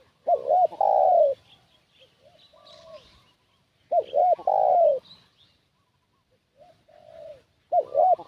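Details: Spotted dove lure call used to draw wild doves toward a decoy spot: two short rounded coos followed by a long, slightly falling coo, repeated about every four seconds, with faint high chirps of other birds between phrases.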